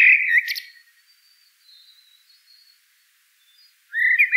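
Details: One common blackbird phrase ends in a scratchy, high flourish, followed by a near-silent gap before another low whistled phrase starts.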